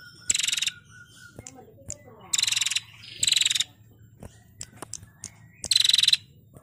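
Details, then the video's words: Female prinia, recorded for songbird training, giving four dry, buzzy, rattling trills of rapid pulses with uneven gaps, with faint clicks and soft notes between them. "Burung Prenjak Betina Gacor Ngetirr"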